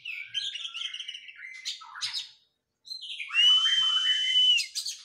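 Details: Oriental magpie-robin in training after its moult: chattering warbled notes, a brief silence, then a loud, pure, sustained whistle held for over a second.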